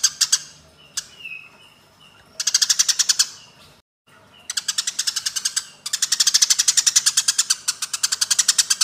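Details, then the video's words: Fighting Eurasian tree sparrows give dense volleys of harsh, high chirps, long rapid runs broken by brief pauses and a short silent gap. "MASTERAN BURUNG GEREJA TARUNG"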